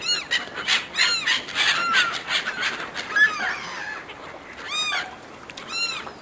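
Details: Seagulls fighting over food, with clear arched, harmonic-rich squawks repeated roughly once a second, a few sharp squeaks in between, and quieter stretches of background noise.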